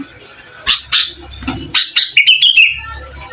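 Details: Lively singing sooty-headed bulbul whose song riles up other bulbuls, recorded as a master for training birds: scattered sharp chirps, then a rapid run of bright whistled notes ending in a slurred falling phrase.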